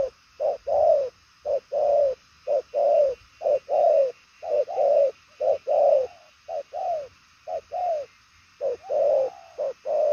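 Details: 'Đồng son chân tím' spotted dove giving fast, long-carrying patterned coos; a rapid run of short and longer hoarse notes, many arched in pitch, about one phrase a second, with few pauses.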